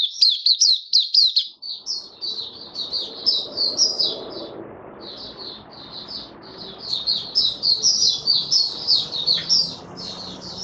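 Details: White-eye kept in a cage, 18 May 2022, after deworming and supplements, singing 'buka sing' style: fast chattering high phrases, a short gap around five seconds, then sustained twittering above soft background hiss.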